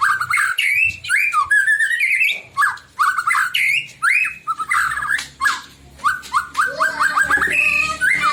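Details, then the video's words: White-rumped shama singing a relaxed song meant to provoke other shamas into singing: rich varied whistles in fast phrases, many slurred upward or dropping notes, delivered in quick bursts with brief pauses, loud and continuous. "kicauan santai tapi bikin emosi, murai manapun pasti ikut bunyi"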